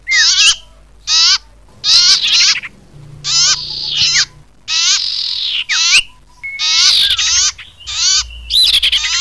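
Common iora giving high, scratchy chattering bursts about once a second, some running into thin whistled sweeps, against a quiet background.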